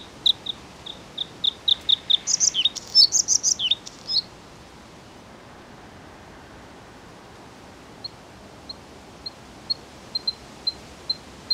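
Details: A Bluethroat delivers an accelerating run of sharp high notes leading into a jumble of varied chirps and slurred phrases, then falls quiet before scattered single ticks resume.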